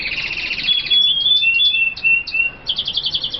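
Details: F1 kaputzensijs (red siskin), described as tropical birds from Colombia, singing high, rapid buzzy chattering notes with thin drawn-out whistles in the middle, then a fast repeated twittering run at the end.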